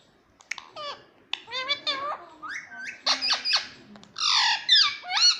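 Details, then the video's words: Pet green parrot indoors in a small room mimicking human speech, saying words like "mummy" and "papa", with squeaky, warbling syllables rising and falling in a rapid burst, plus faint background voices. "मम्मी मम्मी बोलने वाला तोता || Talking Parrot || पापा बोलने वाला मिट्ठू"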